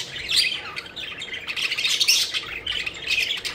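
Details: Playful pet budgies flutter and chirp, giving a busy stream of harsh, buzzy squawks and bright warbled notes that overlap in quick bursts.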